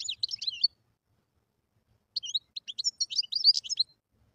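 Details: Wild European goldfinch song in two bursts of rapid liquid twittering and chirping notes, mixing short clicks with slurred whistles, separated by a silent gap of about one and a half seconds.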